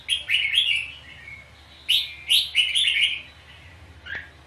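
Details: Red-whiskered bulbul in a fighting song duel at a trap: quick chirpy whistled phrases with a clear, lilting quality, a burst of several notes followed by a pause and a rapid three-phrase run, and a faint closing chirp.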